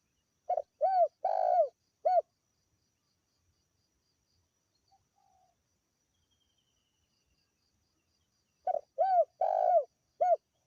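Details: Spotted dove calling, recorded as a lure to attract other birds. Two clusters of three or four soft, rounded coos are separated by a long silence. A faint high insect-like whine runs throughout.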